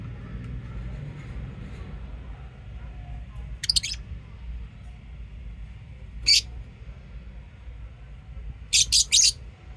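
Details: Chirping lovebirds, with brief, piercing, high chirp bursts spaced a few seconds apart, the last a rapid triple, between long quiet gaps filled with low room hum.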